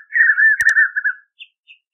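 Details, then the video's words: One brief sweet warbled whistle from a white-naped xenopsaris in the caatinga, cut by a short click. Two faint higher notes follow. "O INCRÍVEL CANTO DO RAPAZINHO-DOS-VELHOS | João-tolo cantando na caatinga"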